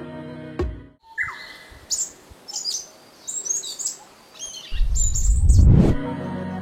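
Asian Brown Flycatcher giving thin, high chirps in short separate bursts, several a second, over low background music and a rumbling thud at the end.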